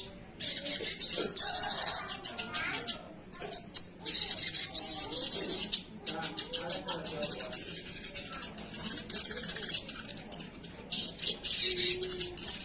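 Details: Sogon singing actively (gacor), giving loud, grating rattles in long runs broken by short gaps, with a softer rasping passage midway and one brief low hum near the end.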